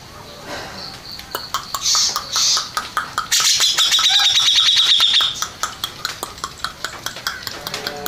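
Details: Grey-cheeked bulbul that won first place in a song contest, giving short high whistles and then a loud rolling trilled phrase lasting about two seconds, backed by constant rhythmic clicks.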